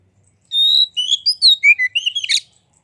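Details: Song of a white-rumped shama meant to stir other shamas to sing, opening with a sustained pure whistle, followed by quick rising and falling whistled phrases and a final rough buzzy note; no other sounds.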